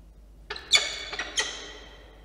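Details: A few sharp, squealing cries from peregrine falcon chicks at feeding time, Orange, New South Wales, 9 October 2022. Three brief bursts follow a quiet start.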